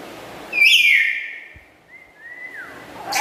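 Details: Pet black-capped lory, loud and melodious. One loud, rasping, slightly rising call is followed by softer thin whistles that rise and then drop.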